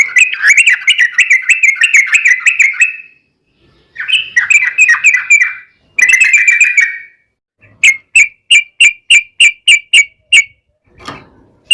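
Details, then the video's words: Sooty-headed bulbul in long song used to prompt other bulbuls to sing: extended bubbly chattering phrases, then a series of evenly spaced sharp repeated notes. "trucukan gacor TARUNG ROPEL ini buat pancingan trucukan agar bunyi"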